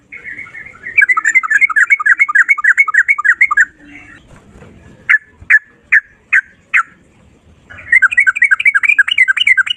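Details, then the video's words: Sooty-headed bulbul singing in the rapid ropel style, one long breath: fast rolling bubbly notes repeated about three per second, a pause with six separate sharp downslurred chirps, then the rolling run returns. "Burung trucukan gacor ropel 1 nafas panjang volume cucak rowo"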